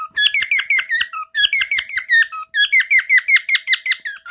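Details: Pet bird, a male, indoors repeating a favourite chirp he sings a lot: quick, evenly paced sharp chirps falling in pitch, delivered in three bursts with short gaps between them.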